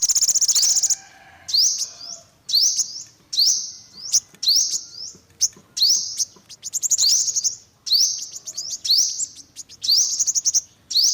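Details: Olive-backed sunbird calling: high, thin rising upslurred notes near the top of hearing, given in quick bursts about once a second, with short rapid chittering runs between.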